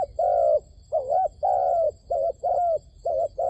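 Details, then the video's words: Used as a lure for trapping wild doves, a dove coos continuously in a run of soft low notes, alternating brief wavering ones with longer level coos, with little other sound. "ឱ្យតែជួបលលកព្រៃ ធ្នាក់ហៅបរសឹងដាច់ខ្យល់ | Amazing Dove Trap"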